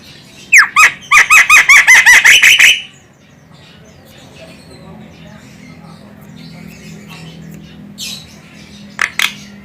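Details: Javan myna (jalak kebo), female, calling; the sound is used to lure birds. A rapid series of about nine harsh, squawking notes over two seconds, then quiet with low background hum and two brief notes near the end.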